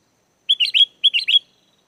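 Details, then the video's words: Energetic sooty-headed bulbul song used as a lure to make wild bulbuls reply: a three-note, cheerful whistled phrase given twice in quick succession. "SUARA GACOR BURUNG KUTILANG!! KUTILANG LIAR AUTO LANGSUNG NYAUT DAN IKUT GACOR"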